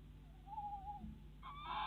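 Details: A Tawny Owl in the Netherlands, where the male brings a mouse at 7:54 pm on 26 February 2016, gives a single drawn-out, slightly wavering hoot, then a louder, harsher, brighter call, over a low steady hum.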